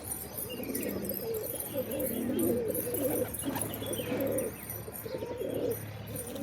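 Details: A flock of pigeons coos almost continuously, with overlapping low, bubbling phrases rising and falling and no pause between callers.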